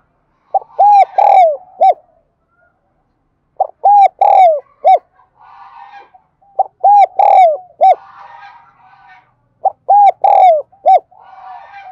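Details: Spotted dove decoy calling in the đồng son style to lure wild doves: four cooing phrases about three seconds apart, each of short, drawn-out and clipped notes with a bouncing rhythm; faint scratchy chatter between phrases.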